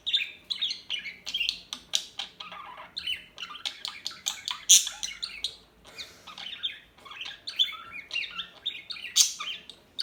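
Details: Small birds giving a dense stream of high chirps, tweets and squawky notes, several callers overlapping without pause in a lively chattering chorus.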